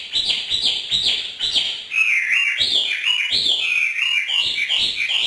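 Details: A hwamei singing freely for its northern Vietnamese keeper in the evening pours out a loud, continuous stream of bright, slurred whistles that rise and fall without a break.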